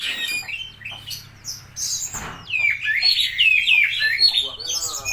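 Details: Oriental magpie-robin, spotted type, in full song imitating a lovebird: high squeaky chatter at first, a brief softer gap, then a loud, quick sequence of sharp, bending chirps.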